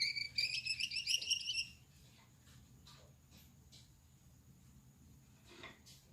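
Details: A male Gouldian finch (yellow back, red head, white chest) singing at night produces under two seconds of rapid, pulsing buzzy notes, followed by faint clicks and near-silence.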